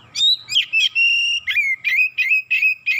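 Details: Oriental magpie-robin, worked up within seconds and unloading its 'isian' fill-in song: a steady, rapid run of about ten loud whistled phrases, each with a buzzy start and a sustained whistled tail, about three per second.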